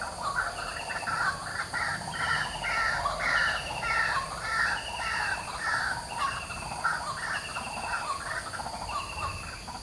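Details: White-breasted waterhen in the morning, loud and busy: dense overlapping harsh notes repeated rapidly, possibly more than one bird, against a constant high insect whine.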